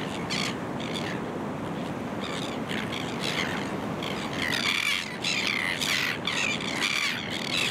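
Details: Kelp Gulls on a coastal rock platform and reef called The Merries at Boat Harbour Aquatic Reserve, Kurnell, NSW, Australia, early September 2020; harsh, uneven squawks come in bursts over a steady roar of surf.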